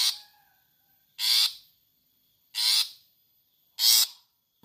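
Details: Long-tailed shrike repeating a harsh, grating "toet" note, used as a training sound for caged birds: four rasping bursts of about half a second each, spaced roughly 1.3 seconds apart, on a quiet background.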